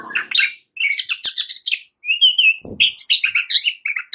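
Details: White-rumped shama, morning fighting-style lure song: dense volleys of sharp chirps and whistles, a smooth whistled phrase in the middle, then more rapid, varied notes. A low thump is heard once.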